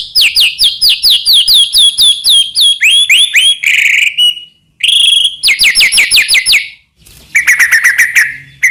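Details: Loud, varied song of a Medan-type white-rumped shama, played to make other shamas sing: a string of rapid falling whistled notes, then a harsh buzzy note, more quick repeated slurs and a final rattling trill.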